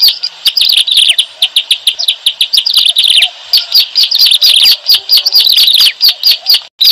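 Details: Bar-winged prinia lure call for bird trapping, heard as fast, uneven strings of high, clipped chirps. The rhythm is choppy in the first half and fuller later, then the sound stops abruptly at the end.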